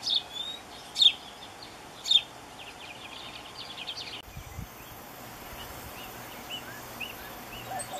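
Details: Painted bunting calling for a mate, giving three loud, sharp, high chips about a second apart with a soft trailing twitter. Fainter distant high notes follow after a break, over steady background hiss.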